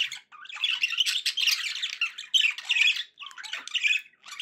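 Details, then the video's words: Pet budgerigars singing indoors: a continuous scratchy, chattering warble of buzzy notes and squawks, broken by brief pauses. "budgie sounds to encourage your parrot to eat and sing"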